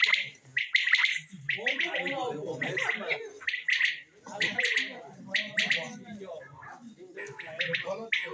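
Common quails give sharp, liquid three-note calls in quick, overlapping bursts, with low gurgling sounds from other birds between them.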